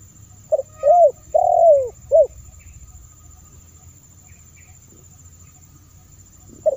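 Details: Spotted dove call used as a lure for wild doves: one phrase of mellow coos, a short note, a longer arched note, a drawn-out falling coo and a clipped final note, then quiet before another coo begins at the end.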